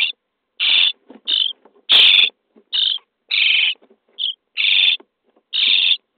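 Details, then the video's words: Nest-box starling nestlings begging as they are fed on day 23: eight or so coarse, hissing screeches at irregular intervals, with faint clicks and scuffles between calls. "Szpaki w budce dzień 23 - karmienie piskląt"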